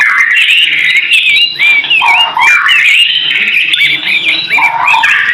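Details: Loud white-rumped shama song intended for training caged birds: rich slurred whistles mixed with harsh, grating chatter and lower fluty notes, delivered in overlapping phrases without pause.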